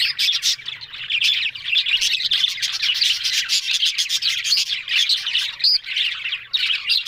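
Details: Budgerigars on October 1 fill the air with a constant warbling chatter of chirps, clicks and squeaks, several birds calling over one another, with one clearer whistled note near the end.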